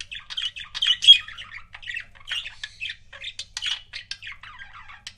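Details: Two pet budgerigars chirping together, a busy stream of raspy squawks, clicks and short whistled slurs delivered almost without pause, with one brief sharper whistle near the start.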